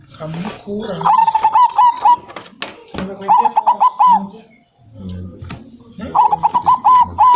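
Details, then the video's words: Zebra dove, a local perkutut, singing three phrases of fast, slightly wavering cooing notes, separated by knocks and low voices in the background. "BURUNG PERKUTUT 100 PERSEN LANGSUNG NYAUT"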